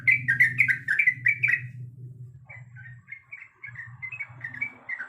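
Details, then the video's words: Sooty-headed bulbul, a female calling the male: a loud flurry of rapid slurred whistles, a brief pause, then softer, thinner whistled notes resuming over a low hum. "Suara Dan Nyanyian Trucuk Gacor Yang Merdu"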